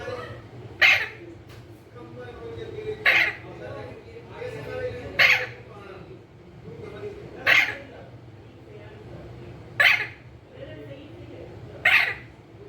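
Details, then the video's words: Pet green ringneck parrot squawking harshly about every two seconds, six rasping bursts, with soft human talk and low murmurs between them indoors. "Parrot sound talking | Parrot bolne wala totha"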